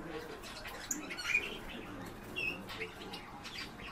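Eurasian bullfinch giving two soft, low piping whistles about a second apart, with a faint high chirp and steady rustling hiss behind.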